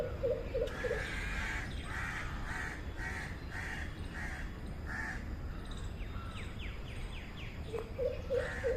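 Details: Greater coucal, known locally as Mahokh: deep, hollow hoots in quick runs, three at the start and four near the end, with loud harsh cawing notes repeated between them over steady background noise.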